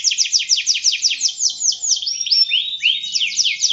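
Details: Canary singing energetically: a quick run of repeated downward-slurred notes, then a few longer rising and falling whistles and another burst of rapid slurred notes.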